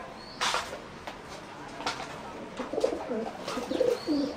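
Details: Zebra dove of a line bred over 60 years from a wild mutation for singing competitions, giving a short series of soft low cooing notes in the second half, with clicks and faint room noise.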